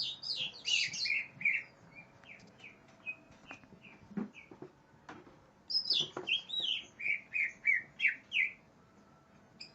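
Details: Worked-up greater green leafbird hunting for an opponent sings long runs of clear, rapidly repeated whistled notes. Sparse clicks fill a middle gap, then a second burst of about ten ringing whistles follows.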